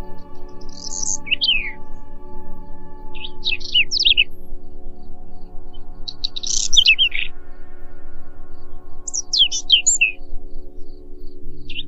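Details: Song of a Whinchat, a series of four short phrases spaced a few seconds apart, each mixing scratchy rattles, squeaky chirps and falling whistles, over a constant soft droning ambient music background.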